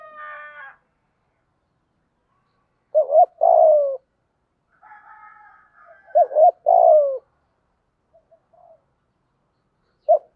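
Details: Spotted dove calling to rouse and train a newly caught bird: double coo plus falling coo phrases repeated about every three seconds, with softer higher tonal sounds between them and a final short coo.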